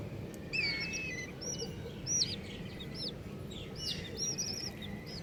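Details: Colourful baby chicks cheeping softly: overlapping short arched peeps from several chicks, mostly quiet and irregular, with one clearer rising-falling whistle early on, against a noisy hiss and low hum.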